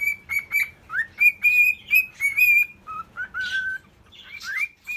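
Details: Whistled courtship phrases from a male cockatiel toward a female: bright held notes and upward slurs, one lower steady tone near the end, with rough noisy bursts between phrases.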